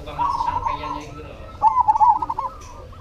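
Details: Rippling trilled coos from a cemani zebra dove, a quieter phrase followed by a louder, bubbling one, over constant low background noise.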